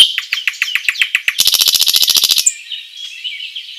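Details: Nightingale in forest song, delivering a rapid series of evenly spaced, sharp repeated notes that tighten into a dense metallic trill, followed by a quieter, softly warbled passage.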